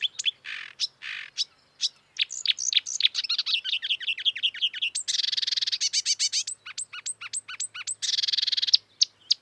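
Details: A wild marsh warbler sings a lively mix of harsh buzzy bursts, quick looping whistles and rapid repeated chips, the phrases changing every few seconds.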